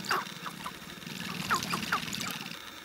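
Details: Sharp-tailed grouse; display calls; courtship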